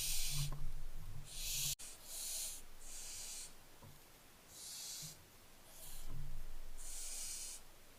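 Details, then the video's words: Barn owlets recorded on 15 July 2024, giving repeated broadband hissing, snoring bursts, each lasting about half a second to a second, spaced irregularly across the recording, over a low rumbling background. "Barn owlets"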